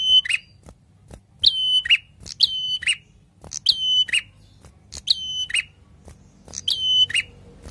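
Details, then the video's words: Lively prinia song in the long 'ngalun' manner: six rapid phrases, each a high sliding attack that settles into a sustained ringing whistle, then a quick lower note, separated by brief pauses and scattered clicks. "PRENJAK GACOR SUARA NGALUN"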